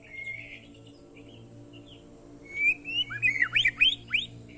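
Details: Oriental magpie-robin singing in a short training recording, faint opening whistle then a lively burst of rising and falling whistled notes over a steady low hum.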